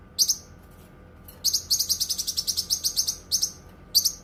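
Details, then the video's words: Cucak kinoi song for song tutoring and therapy: one buzzy note, a second of quiet, then a fast, even string of high chirps, then two spaced double chirps, over steady low hum. "Suara Kicauan Burung Cucak Kinoi"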